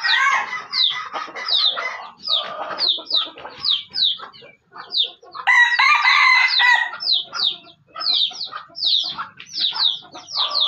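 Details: Junglefowl in Aceh, heard while being lured: rapid series of sharp, high descending chirps throughout, broken by one loud, rough, harmonic crow in the middle, with short pauses between bursts.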